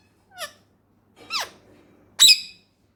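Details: Pet male rose-ringed parakeet, a talking ringneck from Pakistan, makes three separate squeaky calls, the last loudest and harshest, with quiet pauses between.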